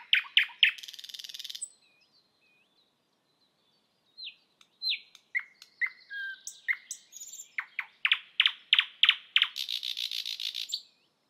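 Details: Thrush nightingale perched and singing on a spring evening: a loud, varied phrase of sharp repeated notes, then whistles and slurred notes, ending in rapid clicking rattles and a harsh buzzy burst.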